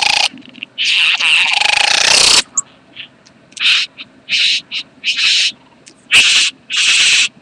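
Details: Bowerbird (karawarra) during mating, 8 January 2014: a long, harsh, hissing rasp runs about a second and a half, followed by a string of shorter, rough, noisy bursts with brief pauses between them.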